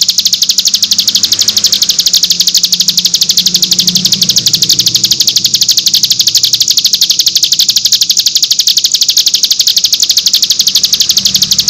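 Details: Cigun in nembak style used as masteran for training young birds: an unbroken, very rapid, high buzzy trill held for over ten seconds, with a low rumble in the background.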